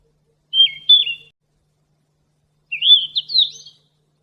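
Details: Golden flycatcher (sikatan emas) song used for training captive songbirds: a clear whistled phrase with a dipping note, then a rising, warbling run of high notes about two seconds later, with no other sound.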